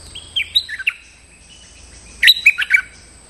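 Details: Stripe-throated bulbul, played to call a territory-holding resident bird: a soft opening phrase, a pause, then a louder burst of quick chirping whistles stepping up and down in pitch.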